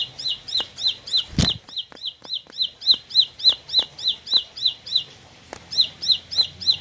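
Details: A four-month-old bar-winged prinia, described as increasingly combative, sings a fast run of high, bright chirps, three or four each second, with one sharp knock early and a faint low hum.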